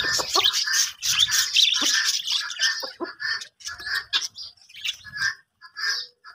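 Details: Breeding colony of budgerigars, quick chirps and warbled chatter in rapid bursts, loud at first then thinning into spaced single chirps.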